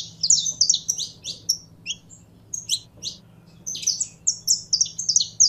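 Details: Saffron finch prompted into singing by its keeper, rattling off dense high chirpy trills, then a short lull, then another fast burst of bright overlapping tweets.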